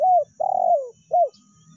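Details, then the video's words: Spotted dove lure call, in the meratus style used to press a rival or the melambung style for ordinary calling: an arched coo, a long, gently falling, slightly buzzy coo, then a short arched coo. A clean recording. "PANCINGAN TEKUKUR SUARA MERATUS DAN SUARA MELAMBUNG"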